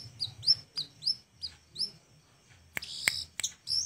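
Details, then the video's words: Flowerpecker singing as a training recording for other birds: thin, high, sharp chips repeated about twice a second, then a few louder clicking notes near the end. "Kecil2 cabe rawit‼️layak dijadikan masteran dengan gaya sangat unik‼️"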